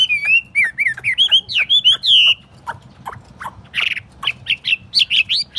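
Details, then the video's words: Hand-carried caged Chinese hwamei gives a stream of looping whistled notes, pauses with soft clicks, then resumes with a harsh burst and more rising whistles. "Thuần tít xách tay đặt bàn, không tật lỗi. 夜莺之歌"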